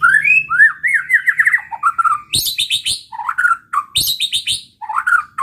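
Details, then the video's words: White-rumped shama song used to provoke rival birds: a varied run of whistled, rising and falling phrases near the middle register, then loud sharp high notes and quick chattering bursts, with rapid trills. "pancingan muraibatu gacor bikin murai lawan dengar AUTO EMOSI TINGGI"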